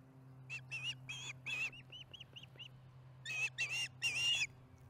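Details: Osprey at the Charlo nest, mealtime on 15 July 2019, 4:30pm MDT. Harsh squealing notes bracket a short run of soft arched whistled chirps, and three loud rasping calls close the passage. A low hum persists throughout.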